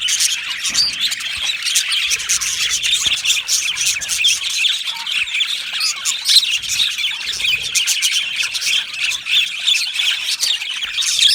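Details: Colony of Australian budgerigars in an aviary: a long, busy stretch of shrill chirping and harsh little squawks from many birds, steady and unbroken.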